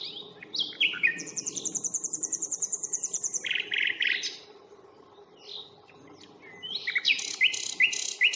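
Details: Nightingale song on the Fingringhoe reserve on the 1st of May, taken on a Panasonic Lumix FZ82. Varied phrases include a long, rapid high trill, harsh buzzy bursts and, after a pause, a sharp stuttering flourish.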